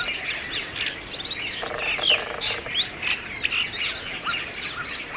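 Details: Brahminy starling (myna) in India, around Aurangabad, giving quick chirps and whistled notes with short rising slurs in a busy run over constant outdoor background noise.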